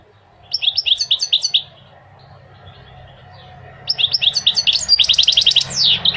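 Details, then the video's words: Goldfinch singing a tutor song meant to prompt males to sing and to teach young birds: a quick run of bright twittering notes, a pause, then a longer liquid cascade of fast high trills and tinkles. "Singing the goldfinch is amazing song"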